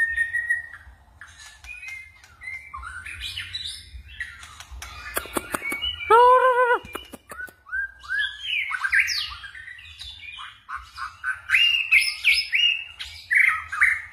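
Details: Varied white-rumped shama song: whistled phrases and rapid chips, a loud nasal harmonic call repeated around the middle, then a long run of quick rising whistles and twitters.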